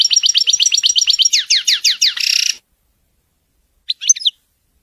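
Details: European goldfinch in wedani-style song: a dense, rapid trill of high chirps slows into sweeping downslurred notes, then a buzzy, harsh rattle. After a pause comes a short clipped twitter.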